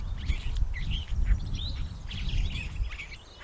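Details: Cape sugarbird uttering short scratchy chirps and slurred twittering notes in rapid groups over a constant low wind rumble.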